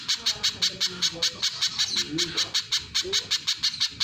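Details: Little spiderhunter giving a steady chain of piercing high chips, evenly spaced, with soft low background sounds underneath.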